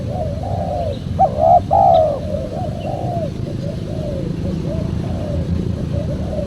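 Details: Spotted dove calling for a lure recording: one loud clear phrase of a rising and falling coo early on, then a softer, steadier series of muffled coos over a low rumble.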